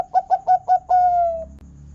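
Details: Zebra dove, a local bird with a big 'kung' voice, singing as a lure to make other zebra doves call: four short rhythmic coos then a long steady falling coo, with faint low hum beneath.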